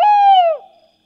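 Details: Tawny owl of Europe giving a single steady hoot of about half a second that sags slightly in pitch at the end, with faint overtones and silence after.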